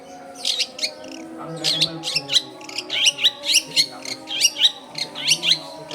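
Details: Long-tailed shrike in loud, lively song, used to lure wild young shrikes: harsh, scratchy high notes repeated about once a second in an irregular chattering series, with a low steady hum from a busy home area.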